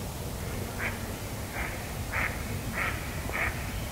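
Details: Unseen duck, heard but not visible, quacking in five short, harsh, nasal bursts spaced roughly half a second to a second apart against low background hum.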